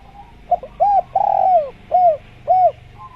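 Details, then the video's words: Spotted dove (tekukur) in the jungle giving a cooing phrase: a short soft note, then an arched coo, a long drawn coo falling at its end, and two more rounded coos spaced about half a second apart. "Masteran Tekukur Biar Cepat Bunyi | Natural Jungle Dove Sound Effect"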